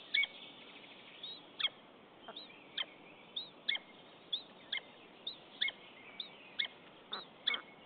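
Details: Nesting common buzzards in Estonia, recorded 10 April 2015 while the mate visits without bringing prey. Both exchange quiet calls: crisp descending chirps repeated roughly every half to one second.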